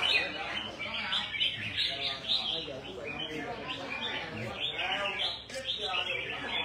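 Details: Two newly acquired red-whiskered bulbuls give a busy run of bright, warbled chirps and short liquid phrases that overlap almost without pause, with people talking in the background.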